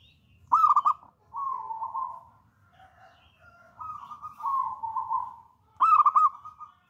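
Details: Local wild-type zebra dove, a bold, persistent singer: bubbling coo burst, long purring trills with a few softer notes, then another bubbling coo burst.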